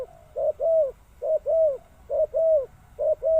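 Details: Repeated two-part cooing from a spotted dove, a brief soft note then a drawn-out slurred coo, four pairs in quick succession, close and clear.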